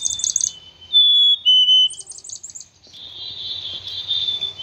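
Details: Black-capped chickadee giving a clear two-note whistle, a higher note falling to a lower one, framed by rapid buzzy 'dee' notes before and after; a steady faint low hum sits underneath.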